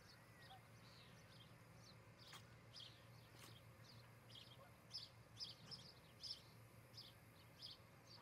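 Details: Nest-cam recording of an osprey at a Charlo, Montana nest on the morning of 14 July 2018: faint, scattered high chirps that gather into a clearer run of sharp notes toward the end, over a constant low rumble.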